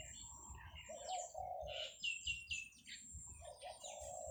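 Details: A dove crows at 8 a.m. on Thursday, 17 July 2023, in Thailand in fine weather while buffalo graze: low, soft, rolling coos in two drawn-out phrases, while other small birds add sharp, high chirps and twitters.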